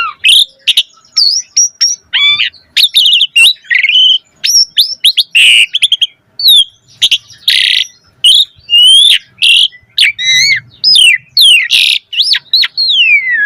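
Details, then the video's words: Asian pied starling in vigorous 'gacor' song full of 'isian' fill-in phrases, used to prompt other starlings to sing: a dense run of rising and falling whistles, sharp chirps and short harsh bursts with brief gaps between. "Suara Jalak Suren Gacor Full Isian Auto Respon buat Pancingan Burung Jalak Agar Gacor Isian Mewah"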